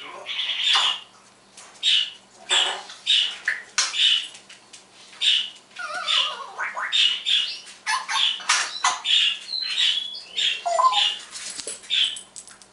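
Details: Morning mimicry by a pet parrot indoors, imitating electronic sounds, tunes and words: long sequence of clipped raspy bursts with a few whistled descending notes and wavering tones mixed in.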